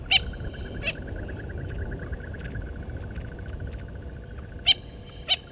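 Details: Natal spurfowl (Pternistis natalensis) family at Gowrie dam waterhole, Djuma Game Reserve, Sabi Sand, South Africa, 9 November 2019; four harsh, grating notes over a steady high pulsing trill, probably an insect.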